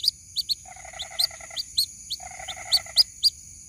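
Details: Chick of the white-breasted waterhen calling its mother, used to lure birds. Scattered high peeps are broken by two short bursts of harsh, buzzy chatter. The clip is quieter, with a faint constant whine.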